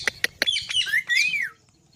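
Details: Green parrot with natural calls: three sharp clicks, then a run of harsh, harmonic chattering notes that rise and fall in arched squawks, ending in a long downslurred call before silence.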